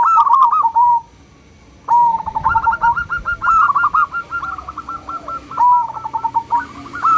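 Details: Local zebra dove with a small, clear 'crystal' voice, used as a lure recording to stir other doves into calling. Mid-pitched rolling coos, each phrase opening with a sharp note and followed by rapid stuttering beats, repeated after a short pause.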